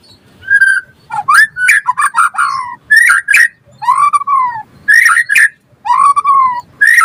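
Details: Active white-rumped shama song used to tutor and provoke other birds: lower, fuller whistles, including a long arched note, mixed with buzzy bursts in uneven phrases.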